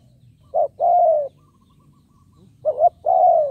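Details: Spotted dove decoy luring wild doves, two coo phrases about two seconds apart, each a clipped note leading into a smooth falling coo, with a low mechanical hum.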